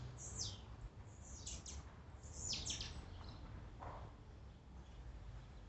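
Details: Blue-black grassquit song used to excite a kept bird: several thin, high descending buzzy sweeps in quick bursts, with a lower, softer note near the end, over a steady low hum.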